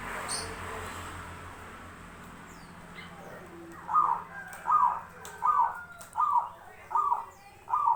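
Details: Zebra dove song: after a quiet start, six rhythmic cooing phrases repeat steadily, roughly every 0.75 seconds, each a short rolling trill, against faint background hum.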